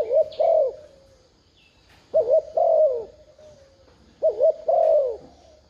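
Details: Spotted dove used as a lure for wild doves, giving repeated cooing phrases. Each is a short two-note coo followed by a longer mellow coo that fades away, about every two seconds, in quiet surroundings.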